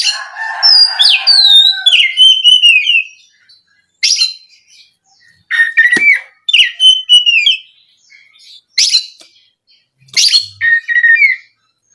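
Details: Oriental magpie-robin song used as a lure to provoke other magpie-robins into singing: loud, varied whistled phrases, some sliding down, others rising, given in bursts of one to three seconds separated by short pauses.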